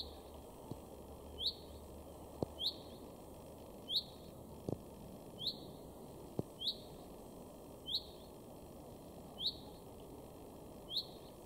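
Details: Male Common Chaffinch calling in a garden in Weener, East Frisia, northwest Germany, in March 2022: short, sharp, high notes with a downward flick, repeated about every one and a half seconds, eight in all, over faint background hiss.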